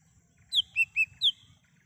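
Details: Lesser green leafbird in the wild, song usable as a lure: a quick run of four clear whistled notes, high falling, two lower, then high falling again, with a soft low rumble beneath.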